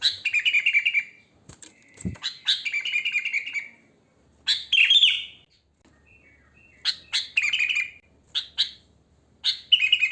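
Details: Wild sooty-headed bulbul singing naturally, used as a lure: repeated short, chattering, bubbly phrases with uneven pauses, plus a brief low knock near the start.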